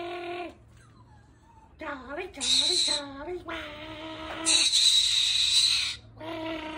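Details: Pet galah cockatoo said to be swearing, indoors: voice-like harmonic syllables with wavering pitch, broken by bursts of harsh raspy screeching and ending on a mimicked syllable; steady low hum in the room.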